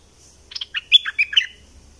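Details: A quick, bubbly phrase from a southern Thai bulbul in the double style: several rapid liquid notes tumbling together in about one second, with a quiet background.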